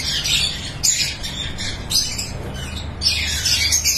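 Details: Lovebirds in a breeding farm: a dense, continuous mass of harsh, high squawks and chirps from many birds at once, rising and falling in loudness without pause.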